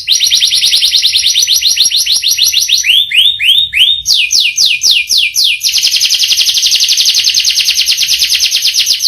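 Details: Canary delivering a long rolling song: a fast high trill, then slower downward-sweeping whistled notes near four seconds, another rapid roll, and a final very fast buzzy trill.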